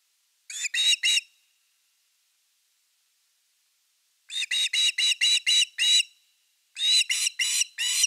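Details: Whistled Osprey calls at the nest on 30 August 2021 during the evening fish. A short group of three notes is followed by a long pause, then two fast bursts of five to seven piping notes.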